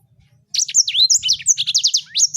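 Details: Sanger bird singing after a brief silence: a rapid, high-pitched run of sharp downslurred whistles, twittering notes and quick trills, rich and varied, with a faint low hum underneath.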